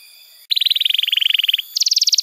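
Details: Tutor canary song meant to teach juveniles and trigger silent canaries. After a brief pause, a fast buzzy trill of evenly pulsed notes runs for about a second, followed by a higher, slightly slower pulsed trill.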